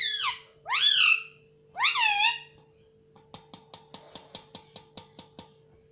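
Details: Indoor pet parrot repeating mummy: three loud, rasping, harmonic syllables rising then sliding down, followed by a steady series of quick dry clicks about every quarter second over a low hum.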